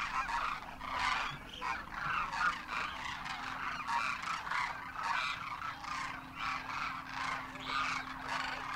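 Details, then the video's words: Large wild flock of Demoiselle Cranes wintering in Rajasthan, India, juveniles alongside adults, trumpeting in flight: a dense chorus of overlapping rolling, honking calls swelling in rapid pulses, with a faint steady low hum underneath. "Demoiselle Cranes darken the sky, trumpeting in flight"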